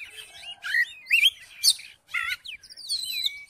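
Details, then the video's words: Oriental magpie-robin song for provoking a reluctant magpie-robin to sing: separate bright phrases of rising and falling whistles and harsh bursts, broken by a brief silence, ending in a clear sliding whistle. "KACER MACET MALAS BUNYI??? COBA DIPANCING DENGAN KICAUAN KACER INI"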